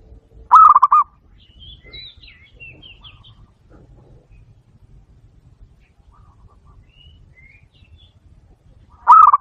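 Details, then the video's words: Zebra dove trapping lure, a single brief rolling coo at the start and another at the end, separated by a long quiet stretch with soft high twittering from small birds. "HUNI NG BATO BATO PARA LUMAPIT"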